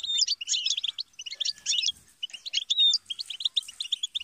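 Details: European goldfinch song: quick tinkling twitter of high, varied notes, with liquid trills and short whistled slurs in rapid bursts separated by brief pauses, over a clean quiet background.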